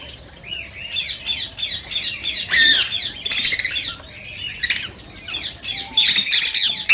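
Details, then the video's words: Green rose-ringed parakeet sounds used to prompt singing and mating: dense, overlapping raspy squawks and chatter, with loud harsh bursts near the middle and end, and thin long whistled notes drifting in below. "صوت ببغاء الدرة الخضراء"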